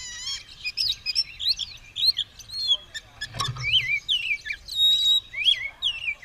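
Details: Spreading its tail and ready to fight, an Oriental magpie-robin pours out a dense, fast string of looping whistles and twitters, with a single soft low thud partway through.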